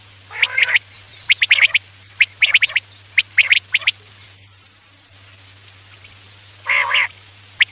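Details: Quail voice for hunting at night: quick clusters of sharp high notes for four seconds, then a pause and one rough, buzzy burst, with a faint hum throughout.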